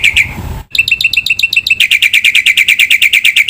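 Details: Black-winged myna in full gacor song packed with isian fills: a brief harsh burst, a short pause, then a rapid, steady series of sharp, bright chips at about three per second.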